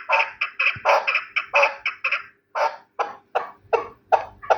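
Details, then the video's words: Harsh repeated chuk-chuk calls from a Terali chukar partridge: a quick run of notes, a short break, then slower, evenly spaced clucks. "Кабки Терали"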